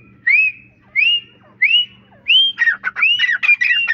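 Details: Partridge (teeter) calling, probably a caged bird: four separate whistled notes rising then falling, about one every 0.7 seconds, then a faster run of sharp chattering notes mixed with more whistles; a steady low hum underneath.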